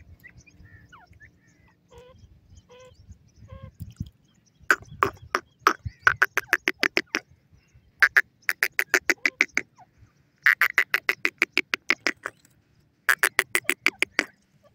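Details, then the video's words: A francolin, possibly a grey francolin ('teetar'), gives bursts of harsh, rapid ratcheting notes, each run lasting about two seconds and repeated after short pauses, with fainter calls before. "nora teetar ki awaaz"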